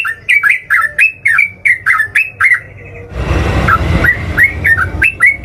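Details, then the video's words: Sooty-headed bulbul singing a fighting song meant to provoke rivals into answering: rapid series of clear, chattering two-note phrases dipping and rising, repeated about twice a second, interrupted by a burst of broadband rustling noise midway. "suara trucukan super gacor & ropel// trucuk manapun kalau udah dengar langsung nyaut"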